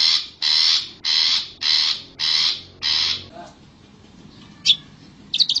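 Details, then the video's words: Long-tailed shrike in the wild: six harsh, grating rasps in a steady row about every half second, then a pause and a few sharp high chirps. "SUARA CENDET ASLI ALAM GACOR"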